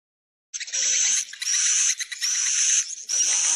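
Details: Swiftlet calls played to attract swiftlets to roost in a building: after half a second of silence, dense, harsh, buzzy chattering starts, high-pitched and continuous, with a thin whistled tone running through it and brief breaks.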